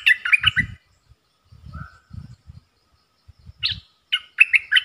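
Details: Caged bulbul in a singing contest with wild birds, 3 October 2021: gurgling whistled phrases open and close the clip, with a short level note and low knocking noises in the gap between them.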